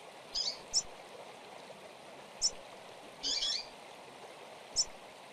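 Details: Coleiro, the Double-collared seedeater, in Tui Tui style from Brazil: brief high chips and a slightly longer buzzy note scattered through a few seconds, against constant background hiss.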